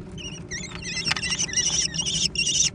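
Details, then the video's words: Young American kestrels competing for food give a tangle of shrill squeals, some rising and falling in pitch, running together into a dense, overlapping clamour with a sharp click partway through. "小隼的搶食大戰 (American Kestrel)"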